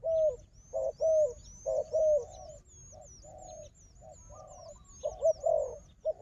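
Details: Wild dove, described as a strong fighter, with a decoy bird: loud, low hooting coos in irregular bursts about once a second, accompanied by a steady thin high whistling chirp throughout.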